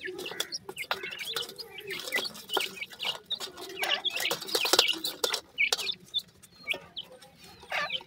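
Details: A crowded chorus of high, short chirps from captive francolin chicks, called dakhni teetar. The brief peeps overlap constantly and are broken up by frequent clicking and tapping noises.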